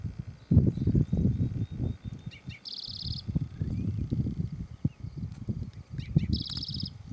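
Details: Spotted Towhee in the field along the Auto Tour, Charles M. Russell National Wildlife Refuge, Montana, USA: two songs, each a few short introductory notes then a high buzzy trill, over heavy low rumbling wind or handling noise.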